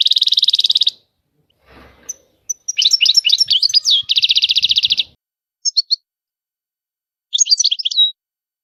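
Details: European goldfinch opening with a long, dense buzzy trill, then a twittering jumble of chirps and another fast rattling trill, followed by brief tinkling notes and a final twittered phrase; soft rustling and low knocks in gaps.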